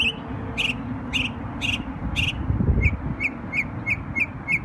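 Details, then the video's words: New York songbird on Memorial Day sings four spaced, slightly harsh chirps about half a second apart, then a quicker run of six thin, high, evenly spaced notes, over a low rumbling hum. "NY Bird Sings Beautiful Songs on Memorial Day"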